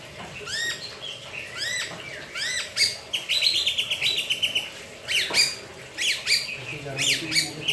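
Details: White-rumped shama kept in a cage, still singing while bathing in its bath cage: clear arched whistled notes repeated roughly every second, then a run of fast, varied phrases with sharp clicks. Faint background noises.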